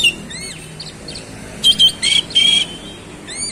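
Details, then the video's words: Oriental magpie-robin in fast rolling song, showing its varied fillers: soft curving whistles at first, then three loud harsh buzzy bursts, each carrying a flat whistle, and finally more thin rising whistles. "KACER SUPER GACOR ROLL SPEED BONGKAR ISIAN"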